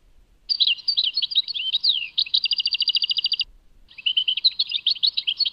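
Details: Tadmait song of a European goldfinch, lively twittering of varied chirps and downslurred whistles, then a long run of evenly repeated rapid notes, a brief break, and more jumbled twitter; no other sounds.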